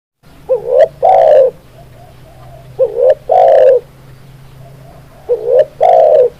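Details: Spotted dove cooing: a short wavering coo, then a longer loud falling coo, the phrase repeated about every two and a half seconds over a low steady hum.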